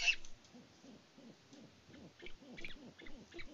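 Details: Great horned owls of a mated pair on a farm live cam in Peabody, Kansas, in February, hooting to each other: a quiet, steady run of short, low, arched hoots, evenly spaced about three per second, with faint crackling between.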